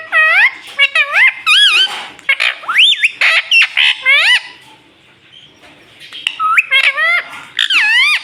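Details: Pet rose-ringed parakeet talking, prompted to say "Mummy": a run of loud, harmonic, wavering squawks and speech-like syllables, several rising and falling sharply, with a quieter pause around the middle before the bursts resume.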